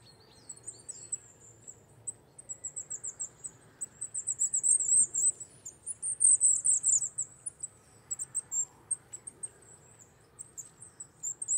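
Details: A Wallcreeper, which winters on Czech cliffs and quarries from November to March, delivers long runs of rapid, shrill, high chirps that swell louder mid-sequence and then break into shorter scattered bursts.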